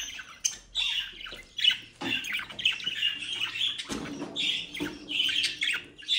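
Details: Captive budgerigars from a home breeding group near Den Haag, Netherlands, chattering with harsh squawks and chirps in uneven bursts, with a low background hum and a few faint knocks.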